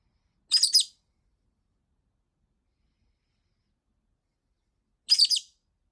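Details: Rosy-faced lovebird kept as a pet, complaining loudly after more than a week of not being played with; two harsh, high, chattering screeches split into quick pulses, about four and a half seconds apart, with silence between.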